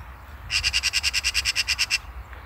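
Eurasian magpie giving a harsh, rattling chatter of about thirteen rapid notes in a second and a half, over a faint low rumble.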